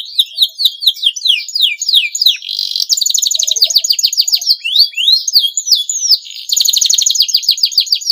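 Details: Canary male in breeding condition, singing to provoke rival canaries to sing; long stream of swooping slurred whistles alternating with fast buzzing trills and rolling rattles, bright and high.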